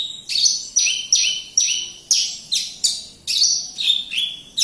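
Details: Javan bush lark from Kediri delivering a string of loud, high, down-slurred notes in quick succession, each ending in a short flat tail.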